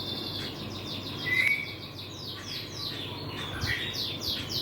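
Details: White-rumped shama chick, 25 days old, hatched 30 March 2024, giving a run of quick, high, downward-sliding whistled notes with one brief steady whistle, over a constant low background hiss.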